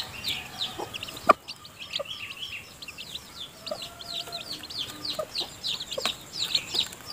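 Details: Hen with newly hatched chicks in her nest at feeding time: steady high piping peeps from the brood, scattered soft clucks, and one loud knock near the start.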